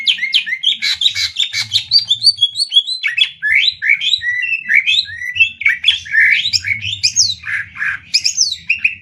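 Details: Greater green leafbirds in an Indonesian cucak ijo singing duel, 'adu tembak ngetrek' style, Banyuwangi bird against Kalimantan bird: rapid, varied whistled phrases jumping up and down, dense overlapping notes with almost no pause, faint low hum beneath.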